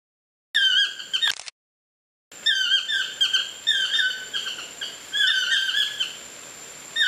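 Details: Chestnut-mandibled toucans in trees near a bungalow at Lapa Rios Ecolodge, Osa Peninsula, Costa Rica. Loud, harmonic yelping notes come in quick repeated series, broken by a short silent gap, over a steady thin high tone throughout.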